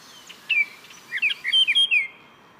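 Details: Baltimore oriole (Icterus galbula) song: a short phrase of clear, fluty whistled notes, several quick slurred notes run together, ending in a falling whistle; faint background hiss.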